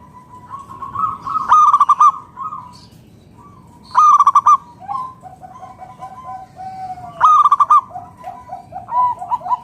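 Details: Local zebra dove song used to provoke other doves into singing. Three bursts of rapid, trilling coos sound about every two and a half seconds, separated by quieter, wavering, lower coos and a faint continuous tone.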